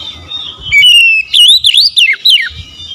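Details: Loud Oriental magpie-robin song: a long whistled note, then rapid swooping, zigzagging whistles in short bursts, with faint birds behind.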